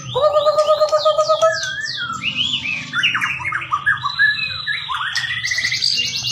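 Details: Bahorok white-rumped shama in continuous song: a quick repeated wavering note for over a second, then descending whistled slurs and a tumbling stream of varied chirps and trills over a low background hum.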